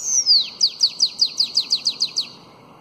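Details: Bananaquit, known locally as sibite, giving the long Belgian-style 'belga alongado' song used to tutor young bananaquits: a high, drawn-out descending whistle, then about eleven quick, high, downslurred notes in an even, rapid series fading at the end.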